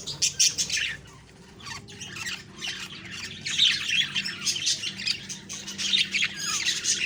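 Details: Morning budgie sounds recorded October 2, 2023: bursts of scratchy, high chirps and squawky notes in uneven clusters, with brief quieter gaps between busy stretches.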